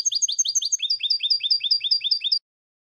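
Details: European goldfinch tutor song in the 'eco' style without terminations or flourishes, used to teach young birds. Fast, high, evenly repeated notes run for over two seconds, shifting pitch partway through, then stop into silence.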